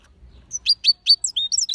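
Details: European goldfinch twittering: a quick run of bright, high chirps, each note a short downward slur, speeding into a jumble of tinkling notes.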